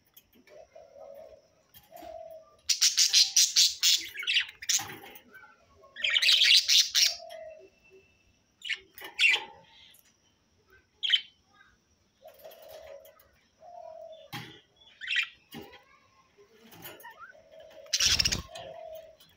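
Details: Budgerigars, companion birds singing and playing together, warble in chattering bursts of rapid, scratchy chirps and clicks.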